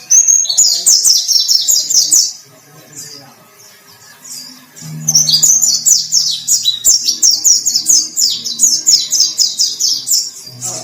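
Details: White-breasted white-eye in full, energetic song, kept for contest singing: two runs of shrill, rapidly repeated twittering notes separated by a short pause, with faint low hum in the background.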